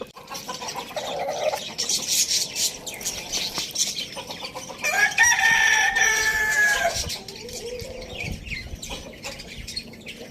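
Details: Loud crow from a pet Lohmann Brown rooster sharing space with hens, chicks and budgies at Lalukhet bird market, Pakistan; one sustained raspy crow lasting about two seconds, with constant high twittering and scattered clucks before and after.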